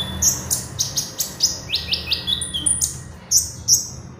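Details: Oriental magpie-robin in lively song, used as a lure for training birds: rapid series of bright, high chirps and short trills, several per second, over faint background hum.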